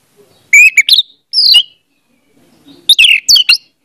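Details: Lure song of the orange-headed thrush meant to make a mute bird sing: two short bursts of loud whistled, slurred notes with a brief buzzy note between them, separated by a pause.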